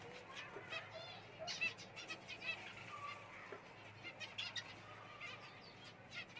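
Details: Java sparrow calls, quiet, with clipped nasal chirps, each note rich in harmonics, scattered irregularly about once a second over a faint steady hum.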